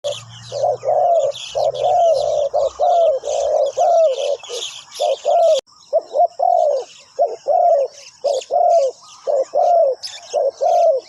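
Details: Decoy spotted dove on the ground cooing to lure wild doves: dense runs of short, low, hollow coos repeating about once a second, with faint higher chirps from other birds above and a brief low hum early on.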